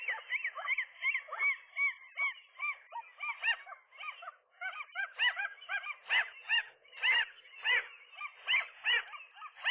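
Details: A gull couple defending their nest against a single gull that pushes between male and female one morning: rapid series of harsh, arched yelping notes, several birds calling over one another in pulsing bursts roughly every half second.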